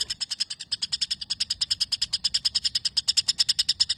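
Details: A white-rumped shama delivers imitated house sparrow chatter, isian gereja: a continuous run of sharp, metallic chips, roughly three per second, loud and regular.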